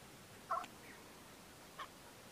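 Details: Chukar partridge (Alectoris chukar), call.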